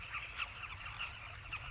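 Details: Carmine bee-eaters at a nesting colony in red sandy cliffs, growing excited and hovering above a boomslang entering their burrows, which may hold eggs and chicks; a run of short, bright chirping notes repeated several times a second over low rumble.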